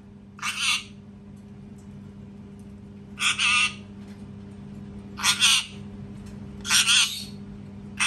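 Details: Loud parrot screams: four harsh, grating screeches, each under a second, spaced one to two seconds apart, with a constant low hum in the background.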